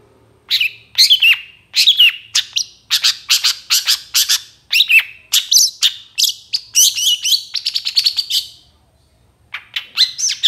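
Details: Long-tailed shrike song used as a training recording for other birds, packed with imitations: rapid bursts of harsh, chattering and whistled notes sweeping high, delivered almost nonstop for about eight seconds, a short pause, then a fresh burst; a faint low hum beneath.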